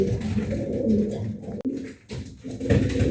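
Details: Pet pigeon cooing in a small room while nesting: deep, continuous rolling coos broken by a brief pause, then resuming strongly.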